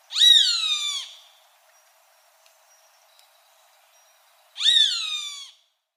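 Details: A pair of loud, wailing, downslurred screams from a Roadside hawk, spaced roughly four and a half seconds apart, each harsh and harmonically rich, with a quiet background.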